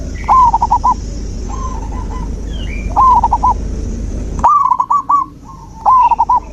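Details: Zebra dove song meant to encourage a dove that has stopped singing: repeated phrases, each a sharp first note and a quick tumble of three or four coos, coming every second or so over a low steady rumble.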